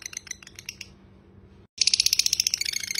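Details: Lovebird ngekek chatter in a tutor recording: soft scratchy notes, a brief silent break, then a loud burst of rapid shrill repeated notes.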